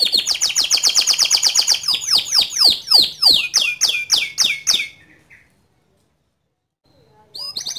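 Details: Loud, lively white canary song: a fast bright trill of high chirps accelerates into steep downward-swept whistles repeated several times a second, stops for about two seconds of silence, then resumes with sharp high notes.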